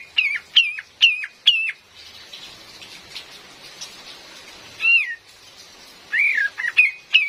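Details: Calls of a female cream-vented bulbul, a forest lure recording: four sharp slurred notes, a hissy gap, one wavering whistle, then a quick cluster of bright notes.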